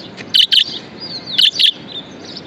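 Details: Pet budgerigar, described as happy, giving two loud, sharp double chirps, each a quick pair of bright high notes, about one second apart. Soft high twittering and warbling continue underneath.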